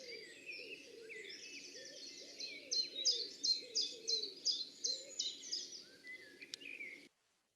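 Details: Common chiffchaff (Phylloscopus collybita), the first of spring, singing high in a sallow tree in a Sussex back garden around late March 2020: a steady run of sharp, high two-pitch notes, nearly three a second, other birds twittering behind.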